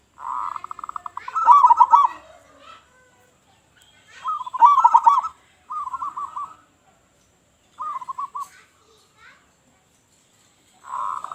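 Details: Loud-voiced local zebra dove in vigorous song as a lure for other doves: fast series of short coos building into a bubbling, warbled trill, phrases repeated every few seconds.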